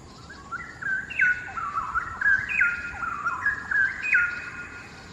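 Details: Endangered straw-headed bulbul, one of a pair resting on a hanging branch in a Singapore quarry, singing loudly: a continuous melodious run of gurgling, liquid whistled notes stepping up and down in pitch for about four seconds.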